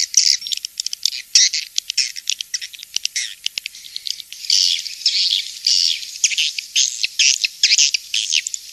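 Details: Swiftlet calls for attracting swiftlets to nest houses: busy high twittering and clicking, with louder buzzy chirp phrases recurring in the second half.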